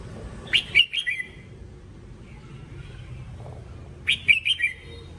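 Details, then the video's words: Red-whiskered bulbul voice-training song: two lively phrases about three and a half seconds apart, each a rapid string of four or five bright, warbled whistles. Faint low hum between them. "Luyện giọng chào mào"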